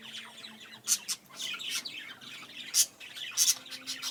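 Budgerigars give bright, scratchy chirps and sharp squawks in an irregular courtship chatter.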